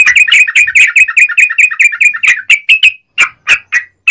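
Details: Trucukan, the yellow-vented bulbul, singing: a rapid evenly spaced series of bubbly two-part notes, slowing into separate louder notes with short gaps at the end.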